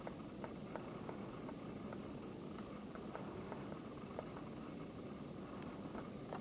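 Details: A female Great Spotted Woodpecker pecks hard at an oak trunk in Japan in late February 2013 (winter), calling now and then. Short, sharp ticks come at an uneven pace, several each second, over a steady low rumble.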